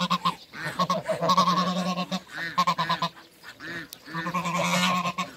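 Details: Two male and one female Muscovy ducks in a backyard among other waterbirds, giving raspy hissing huffs and short buzzy honk-like notes in uneven bursts, several per second, with brief gaps.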